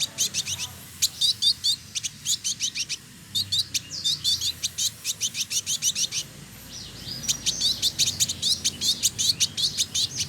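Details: Male village indigobird, known locally as trotol, kept caged in Bandung, West Java, Indonesia, delivers a steady, busy song of rapid high ticks and chattering notes mixed with short whistled slurs, nearly continuous for ten seconds.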